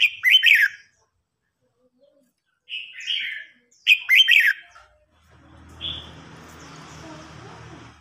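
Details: Red-whiskered bulbul singing contest, an old wild-caught bird challenging a young bird. Three vigorous warbled bursts are followed by a steady broad rushing noise carrying one more brief note.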